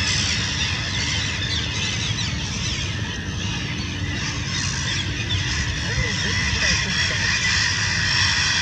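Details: Black-headed and Mediterranean Gulls defending their nests against an attacking Black Kite, Rhine delta at Lake Constance, Vorarlberg, Austria, May 2016: dense colony of overlapping harsh screeching, rising as they mob, over low wind rumble.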